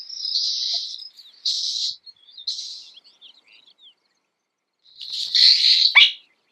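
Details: Burrowing Owl parent alarm call at a nest within a prairie dog colony on a wheat farm, with a brood of 10 chicks that respond to it: three harsh, hissing rasps within two seconds, then a louder screechy burst ending in a falling squeal.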